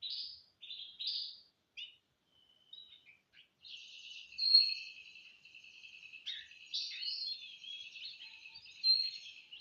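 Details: Caged canaries practising their song on Thursday morning, 18 December 2025, one working on a gacor style and one on a ngeriwik sound: rapid twittering phrases, buzzy rolling trills and sharp high whistled notes running almost continuously.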